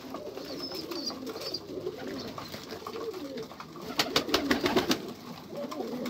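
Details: Soft, low pigeon coos with faint high chirps give way to a rapid volley of loud clicks or flapping taps in the second half.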